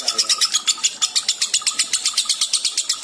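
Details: Continuous ngekek from a lovebird in breeding condition: a fast, steady string of rasping, clipped notes, roughly five to six per second, each harsh and bright, with no pauses.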